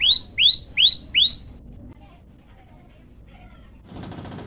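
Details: Olive-backed tailorbird giving four sharp rising chirps, then silence ending in a brief burst of rustling noise.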